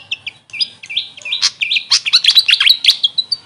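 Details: Grey fantail, locally named Maria Capra, delivering a hurried, jumbled twitter of high squeaks and slurred chips that grows denser and louder midway.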